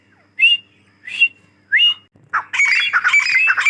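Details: Three clear, shrill rising whistles from a female grey francolin, followed by a burst of harsh, dense squawking chatter.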